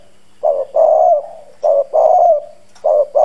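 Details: Decoy spotted dove in hoarse, husky country-style cooing, used to provoke and lure wild doves: low, mellow coo notes in three paired bursts, each note swelling and fading, with short gaps between phrases.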